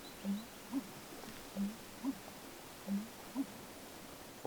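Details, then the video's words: An American Bittern's booming song in a wet Canadian wilderness marsh after a cold front, with snow that morning: three deep, hollow two-part gulps, a low note then a higher one, about every one and a half seconds, ending in a sharp knock. "Weird sound around 4:27 is an American Bittern! Its a large marsh bird, that sound is their song."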